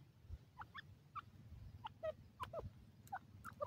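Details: Baby grey francolins, called dakhni teetar, calling while moving about: a run of brief peeping chirps at varied pitches, roughly two or three per second, with scattered clicks and a constant low background hum.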